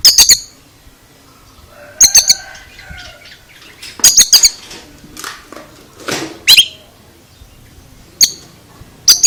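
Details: Oriental magpie-robin uttering strange sounds: repeated bursts of rapid, piercing high clicks in groups of two to four roughly every two seconds, mixed with softer scratchy notes and a brief rasping sweep.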